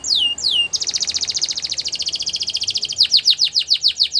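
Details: Belgian canary song for canary training, opening with two falling whistles, then a fast even rattling trill held for over two seconds, ending with loud rhythmic downward-sweeping notes repeated several times a second.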